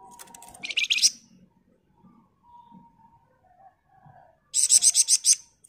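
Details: Flamboyan bird delivering tight ngebren phrases meant as master audio for training songbirds; a rattling buzzy burst opens, a quiet pause with faint chips follows, then a second rapid series of about seven harsh pulses.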